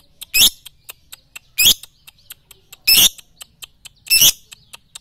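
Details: Lovebird song played for training at morning, noon and night: four loud, raspy, rising chirps repeated roughly every one and a quarter seconds above a soft, rapid ticking background.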